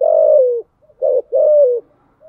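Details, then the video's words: Spotted dove in THÚC GÙ style: a long falling coo, then a short note and another long coo sliding downward, all low, smooth and mellow. "Tiếng chim cu gáy bài bản THÚC GÙ"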